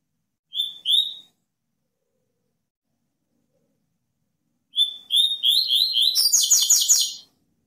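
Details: Double-collared seedeater in 'cortando canto' song: two sweet whistled notes, a pause, then a run of slurred whistles that accelerates into a harsh buzzy rattle of about a second. The background is quiet and clean.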